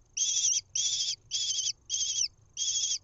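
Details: Lesser kestrel nestling at a nest-box cam in Israel, 1 June 2021, being fed a mouse, giving five harsh, raspy, high screeches of about half a second each in quick succession over a faint steady high hum.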